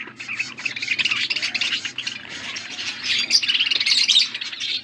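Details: Blue budgerigars, feeding each other, keep up fast, steady chirping, about four short notes a second, scratchy and bright.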